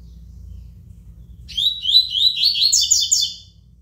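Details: Coleiro, or double-collared seedeater, delivering a tui tui style song after a quiet start: rapid repeated whistled notes, about three per second, climbing into a brighter, tangled trill before stopping abruptly, over faint low humming.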